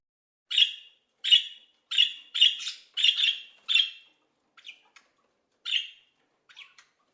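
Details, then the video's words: A parrot gives harsh, raspy squawks, six in quick succession about every half second, then a few fainter, scattered calls after a short pause. "some parrots have the ability to make sounds like human voices"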